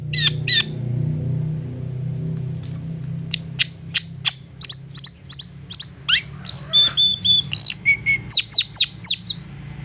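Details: A long-tailed shrike sings an insistent provoking song intended to make other shrikes respond. After two opening notes and a quiet gap with low hum, sharp high clicks come roughly twice a second, building into a fast chattering series with brief whistles.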